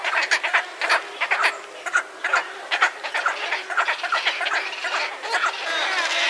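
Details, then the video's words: A wood stork, the large white bald-headed wading bird of southeastern US swamps, gives a dense chorus of harsh, nasal, croaking calls, two or three a second, irregular and overlapping, with no other clear sounds. "the sound you just heard was that of the wood stork"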